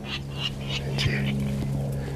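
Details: A Virginia Rail in a marshy lakeside area gives a quick run of rough, pig-like grunts, about three each second, over a steady low hum, in breeding season when birds sing to attract mates and establish territories.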